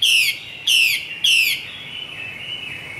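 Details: Female Chinese hwamei from the Northwest highlands of Vietnam: three loud, high, downward-slurred whistled notes about half a second apart, then a fainter sustained tone.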